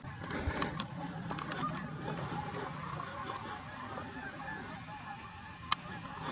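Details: At night by Webber Lake in California's Tahoe National Forest, disturbed geese honk faintly in the distance in a scattered, overlapping series, as if something chased them off, before flocks fly past, over low background noise with a few sharp clicks.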